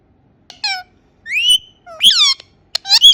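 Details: Indian ringneck parakeet chattering in short, speech-like syllables: a rising whistle, sliding squawks and quick clicks, spaced roughly a second apart.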